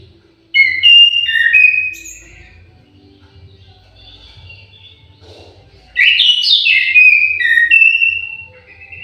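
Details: Orange-headed thrush kept in an aviary, singing melodious song: two bright phrases of quick, varied whistled notes stepping up and down, each about two to three seconds, separated by a quiet pause of roughly three seconds.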